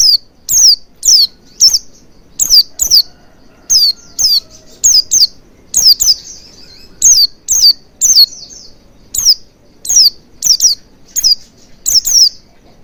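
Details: Oriental white-eye lure song meant to prompt singing: bright, descending high chirps in rapid pairs and short bursts, repeated steadily throughout with brief gaps.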